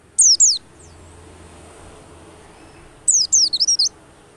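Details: White-eye, used as a lure to make other white-eyes start singing quickly: two short bursts of very high, thin notes sliding downward, then a longer run of high twittering sweeps after a pause.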